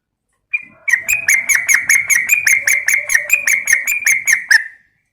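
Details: Female yellow-vented bulbul calling a male, recorded as a lure. After a single opening note, a steady four-second string of quick, rhythmic, twangy chatter notes runs evenly before cutting off.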